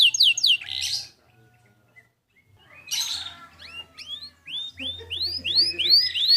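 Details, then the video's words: Canary singing in a master recording to prompt other birds: a short burst of high notes, nearly two seconds of quiet, then a steady run of rising whistled notes growing louder, faint low hum beneath. "Dengar Masteran Kenari Gacor Suara Jernih Ini"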